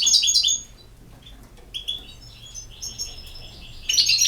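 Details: European goldfinch, Bosnia and Herzegovina: a loud burst of bright twittering, then quieter scattered chirps and short high notes, ending with another loud jingling burst.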